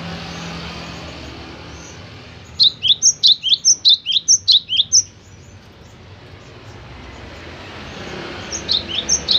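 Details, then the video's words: Cinereous tit delivering a brisk run of about ten loud, high, clipped double notes over two and a half seconds, then a quieter repeat near the end, with faint traffic rumble in the background. "tingkah polah "BIRONG" si gelatik batu"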